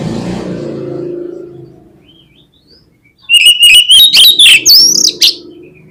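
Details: Song of an oriental magpie-robin, used to coax other magpie-robins into song: a low rumbling hum fades out, then a loud sequence of sweet whistles broken by sharp chip notes, ending on a high slurred note.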